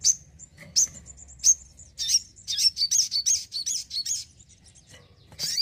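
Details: Caged crimson sunbird singing busily at home: high piercing chirps open, then a fast tumbling sequence of squeaky, twittering notes roughly every quarter second, ending with a final shrill burst.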